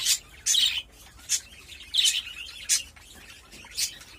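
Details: Budgerigars kept as pets, heard during mating: sharp, high chirps in separate bursts roughly every half second to one second, with quiet gaps between.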